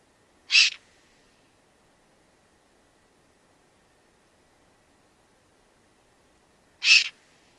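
Young Eurasian Eagle-Owls give two harsh, hissing rasps, each about a third of a second long and spaced about six seconds apart, with quiet between them.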